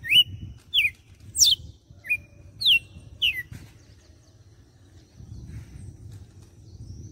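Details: Red-cowled cardinal from Fortaleza, Ceará, giving a six-note açoite phrase: loud piercing whistles with rising and falling slides in about three and a half seconds, then a soft low-pitched murmur of background sound.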